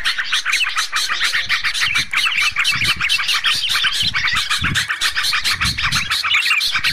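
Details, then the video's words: Sooty-headed bulbuls on a lure recording for trapping birds chatter in a dense, continuous run of bright, scratchy chirps, several calls overlapping each second, with scattered low thumps beneath. "Suara PIKAT Burung TRUCUK vs KUTILANG"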